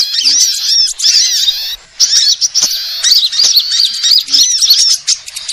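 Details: Sunbird lure sound from various species: bright, high twittering phrases with quick slurred whistles, one short pause early, then steady overlapping chatter.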